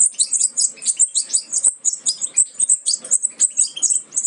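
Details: A brood of captive-bred young European goldfinches, nearly ready to leave the nest, gives a constant stream of thin, very high, squeaky overlapping chirps in quick bursts about three or four times a second.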